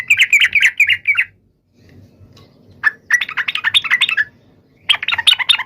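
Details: A yellow-vented bulbul sings hard to call out a rival. Quick, jerky chattering notes come in three bursts, the middle one longest, with a brief quiet gap and low background murmur.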